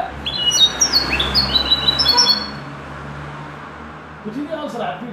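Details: A linnet schooled in goldfinch-style singing gives a two-second run of high, liquid, twittering notes with quick falling slurs. Quiet follows, then low voices talking.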